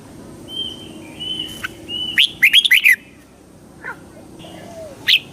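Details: Red-whiskered bulbul song played to excite the bird: a short burst of bright, warbling notes around the middle, with a thin whistle before it and scattered softer chirps afterward over faint background hiss.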